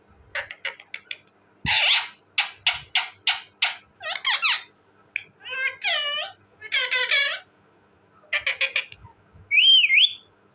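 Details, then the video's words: Parrot chattering in quick runs of short syllables, then drawn-out, wavering speech-like phrases with bending pitch, closing on a squeaky rising-and-falling whistle. "talking parrot bird,parrot ki awazz"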